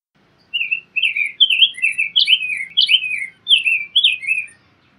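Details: Rose-breasted grosbeak song: a quick run of about a dozen sweet, liquid warbled notes, rising and falling like a robin's but smoother, grouped in two bursts with a short break between.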